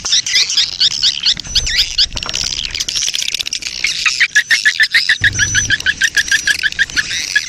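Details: Swiftlet colony lure sound in breeding mood: mixed buzzy twitters first, then a steady train of short, clipped chirps about two per second, with a faint low hum in the background.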